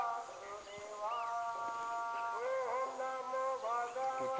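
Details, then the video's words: Greylag goose giving nasal, harmonic-rich honks and drawn-out calls that bend upward and downward. Calls overlap throughout, suggesting several birds, with a faint steady high hiss in the background. "Greylag Goose"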